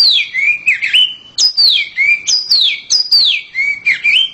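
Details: Loud, sweet song of a caged oriental magpie-robin: repeated phrases that drop from a high whistle to a lower trailing note, roughly every half second, with some buzzy twitters between them.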